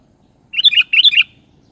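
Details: Sooty-headed bulbul giving two brisk, chattering phrases of warbled whistles back to back, each with several fast up-and-down notes, over faint low background noise.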